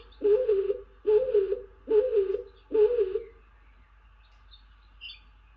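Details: Stock dove on the nest box of an incubating tawny owl, calling incessantly: four loud low coos, each about half a second long, spaced under a second apart, then quiet with faint rustling.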